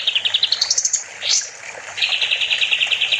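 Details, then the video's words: Kapas tembak bulbul in lively master song for training songbirds: a rapid chirping trill climbing in pitch, a brief rising sweep, then a steady run of quick high chirps. "Kapas tembak gacor || Masteran burung"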